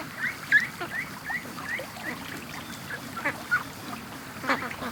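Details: A flock of ducks let out of the pen in the morning, rushing to the creek and lake; rapid short rising squeaky calls mix with scattered quacks over steady background hiss.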